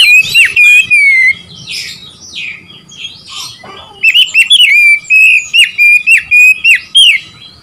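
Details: Singing Oriental magpie-robin meant to provoke rivals: a loud whistled phrase, a softer buzzy interlude, then a fast series of repeated clear whistles with sharp upward flicks, about three per second.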